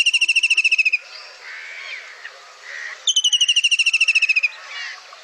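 A White-throated Kingfisher gives two loud, shrill, rapid whinnying rattles, each about a second long, with faint background sounds between them.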